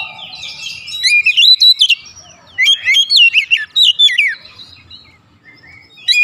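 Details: Oriental magpie-robin singing as a lure to excite birds: two loud bursts of quick, looping whistled notes rising and falling, fading toward the end.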